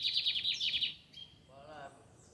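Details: Lined seedeater singing in a square in the Fátima neighbourhood: a fast, buzzy, high trill of rapid repeated notes for about one second, then a person speaking.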